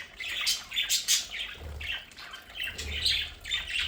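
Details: Pet budgerigars at home squawk and chatter almost continuously, giving raspy repeated calls about every half second, with faint low thumps behind them.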